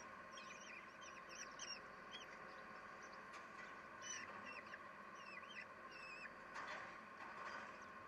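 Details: Common kestrels at a nest with seven chicks on 7 June 2021, as the female feeds them at 8:32, give short, high, hooked chirps, several overlapping and repeated irregularly, over a steady background hiss.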